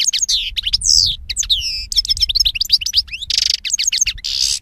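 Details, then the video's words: European goldfinch song, loud and close, made of rapid tinkling twittered phrases, sweeping whistled notes and buzzy nasal bursts near the end, delivered in a continuous tumbling stream. "Cante De Jilguero"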